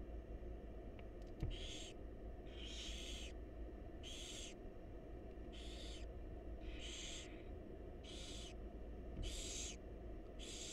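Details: Wild barn owl chicks in a monitored nest box being fed by their mother; long hissing, rasping screeches repeated about every second, each lasting roughly half a second, over a steady low hum.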